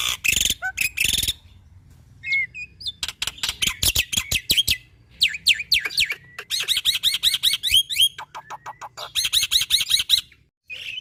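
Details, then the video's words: Black-winged myna in lively song, played to stir lazy mynas: harsh raspy bursts, rapid clicks, then sequences of repeated swooping whistled notes and chattering phrases with brief pauses between. "Pancingan Burung Jalak Putih Malas Bunyi - Jalak Putih Gacor Bikin Semua Jalak Bunyi"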